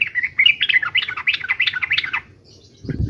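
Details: Fighting song of a yellow-vented bulbul, meant to make other bulbuls answer: a continuous stream of quick liquid, warbling chirps lasting about two seconds, ending in a short thump.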